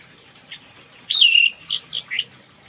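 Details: Orange-headed thrush singing in the morning as therapy for silent birds: a soft note, then a long clear descending whistle followed by three quick, higher, sweeping notes.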